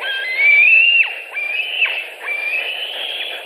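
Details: White-tailed eagles at the nest in Latvia, 26 July 2018, as a bird is brought in as prey: three long, strained whistles rising steadily, the first loudest, each breaking off downward.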